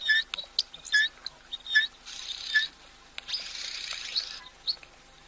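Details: Oxpeckers that have just landed on a giraffe at a waterhole, on 1 October 2023, give harsh, hissing chirrs and short rasping notes in uneven bursts, with a longer buzzy hiss in the middle, over faint background noise.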